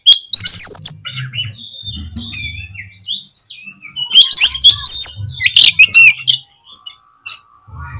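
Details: Lure song of an Oriental magpie-robin, meant to fire up other magpie-robins: bursts of clear whistles and harsh chirps, loud phrases separated by brief pauses, then a quieter trailing end, with a low rumble underneath.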